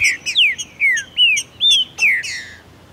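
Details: Green-winged saltator (trinca-ferro), a male in Brazil singing hard during tournament and breeding season beside a female, to trigger another bird's song: loud clear whistled notes, several falling and some rising, in a fast varied phrase.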